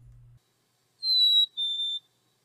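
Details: Black-capped Chickadee call: two clear, pure whistled notes, the first slightly higher and the second a touch lower, preceded by a brief low thump.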